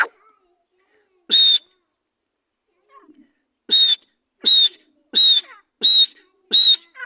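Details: Partridge (teetar) kept by its owner, calling in sharp, clipped notes with a thin whistled edge. One note is followed by a pause, then five come in quick, even succession over a quiet background.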